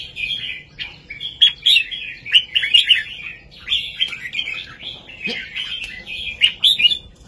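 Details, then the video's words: Red-whiskered bulbul with a southern Thai master song, played to excite birds and teach young ones; steady, flowing chains of liquid warbled phrases with bright accented notes, almost unbroken. "นกกรงหัวจุกเพลงแม่บทใต้ ลำหนักๆ ชัดๆ ยั้วนกฟังนกคึก เปิดสอนลูกนก"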